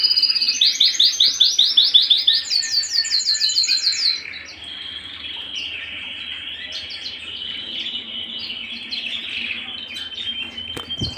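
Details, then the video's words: Canary singing at home: a loud run of rapid high rolling trills in repeated notes, changing to a fast pulsing series, then a softer sustained warbling trill with scattered chips. "canary singing at home"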